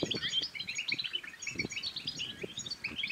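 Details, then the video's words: Brief European goldfinch song intended to rouse goldfinches to sing and pair: rapid, slurred high chirps and trills over occasional low taps and thumps. "بتبتات الحسون بتبتة تنطق اي حسون كان صامت سيغرد"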